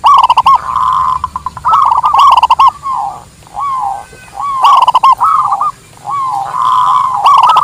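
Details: Local zebra dove used for luring and as a master song: rattling bursts lead into wavering, falling coos, repeated several times with short quiet breaks between phrases.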